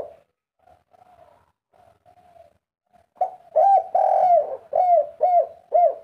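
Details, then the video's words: Agitated spotted dove in vigorous three-note cooing: first three seconds of soft, low, broken murmurs, then a burst of loud, mellow arched coos, one long drawn note followed by four shorter hoots at steady pace. "derkuku tekukur kuk 3 ngamuk gacor"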